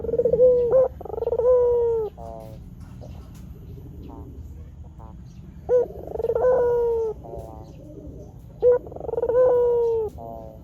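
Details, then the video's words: White Barbary dove calling steadily on a lure recording meant to make wild doves answer. Three coo phrases, each a sharp opening note and a long, slightly descending rolled coo, spaced a few seconds apart over light background hum. "Suara Burung Puter Gacor TOP Untuk Masteran Dan Pikat Langsung Nyaut"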